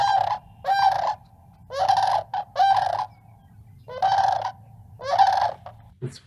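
Sandhill Crane giving loud, rolling, rattling trumpet calls, about seven bursts in six seconds, each rough and throaty over a steady mid pitch.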